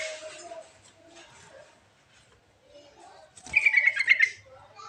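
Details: Lure recording of sooty-headed bulbul song meant to stir idle birds to sing: quiet murmuring background, then a lively bubbling series of bright chirping notes in the second half.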